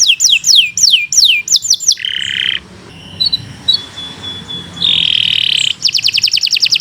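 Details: Gacor song of a Kenari Nusantara canary for tutoring: falling whistled notes, a harsh flat buzz, a quieter stretch with a thin sustained tone, another buzz, then a quick high trill.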